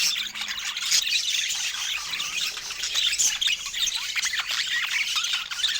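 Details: During fruit time, budgies warble and squeak continuously, with shrill twittering notes and brief rasping squawks overlapping.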